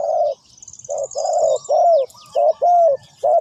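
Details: Cooing spotted dove, used in decoy trapping, delivering soft, low, rounded notes: a brief coo, a double coo and a longer falling croo, repeated, while high squeaky chirps of other birds sound faintly behind.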